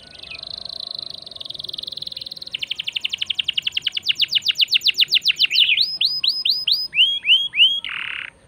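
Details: Canary singing to stir other birds into song: a steady buzzy tone, a long accelerating trill of sweeping notes, then looping whistled phrases and a harsh burst.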